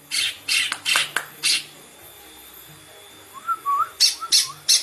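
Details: Green leafbird delivering rasping bursts, a quiet pause, then soft whistled slurs followed by another run of harsh notes.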